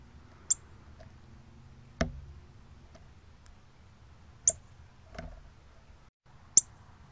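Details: Cardinal calling on 24 October 2020: three sharp, high, metallic chips spaced a few seconds apart, with a couple of dull knocks in a quiet background.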